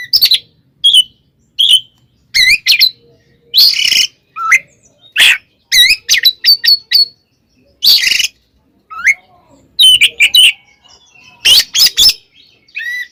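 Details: Oriental magpie-robin in full 'ngeplong' fighting song to anger other magpie-robins: continuous varied phrases of sharp whistles, wavering slurs and harsh scratchy bursts, steadily repeated with short gaps.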